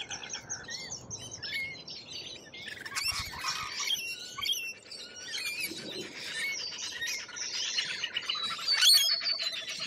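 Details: Lorikeets, Australian wildlife, give rapid squeaky and screechy notes in a constant chorus, with a louder harsh burst at the start and bright whistles near the end.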